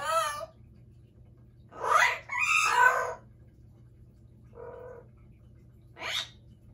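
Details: Amazon parrots kept as pets give scattered raucous squawks: a short harmonic cry, a pair of rasping screeches, a soft nasal note, then a thin rising squeal, with low hum throughout.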